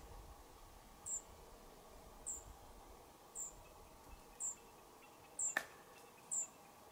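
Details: European pied flycatcher fledglings leaving a nest box at a cottage: a thin, very high note repeats about once a second, six times, over a low background rumble with one sharp click.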